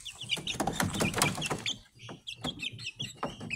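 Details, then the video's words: Speckled Sussex chicks, hatched 22 March 2023 and recorded 22 April, give high thin peeps, first under a loud rustling clatter, then as clear separate chirps in the quieter second half. "Speckled Sussex Chicks"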